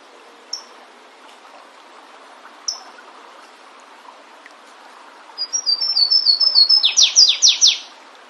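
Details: Wild flavescent warbler in natural surroundings: two short high chip notes, then after a pause a song of thin level whistles accelerating into about five loud falling slurred notes, over soft background noise.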